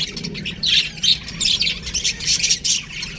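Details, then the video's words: Young budgies chattering in an aviary: shrill, grating chirps and squawks in clustered bursts, several birds calling over one another throughout. "Baby Budgies Chirping Sounds"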